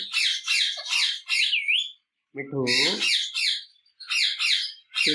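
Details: Pet ringneck parrot screeching indoors: bursts of harsh, grating, high screeches in quick runs, one ending in a wavering whistle, with a brief low voice-like sound between bursts.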